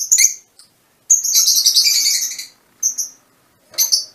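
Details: High-pitched chirping from mutation Fischer's lovebirds. A brief shrill note opens, then a sustained rapid chatter lasting over a second, followed by isolated sharp squeaks after short silences.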